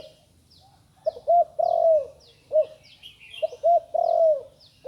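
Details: A spotted dove still learning its call gives loud low cooing phrases: two or three short coos and then a long coo with a falling end, repeated twice, while small birds chirp faintly at high pitch.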